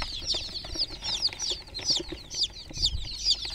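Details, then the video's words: Chicken chicks, groggy and sitting in a water pool, give piercing high peeps that slur downward. They come in bursts about twice a second, with faint low knocks underneath. "Groggy Murgi chicks Chirping sounds in water pool"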